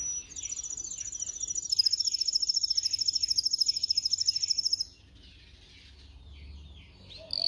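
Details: Singing canary used as a training recording for teaching canaries to sing: a long, very fast, high, even trill lasting about four and a half seconds, then near silence and a brief whistled note.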